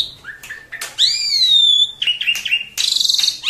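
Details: Pet Asian pied starling in a cage, calling excitedly when visitors or strangers come; a loud sustained falling whistle, then harsh squeaky notes and a rapid rattling burst near the end.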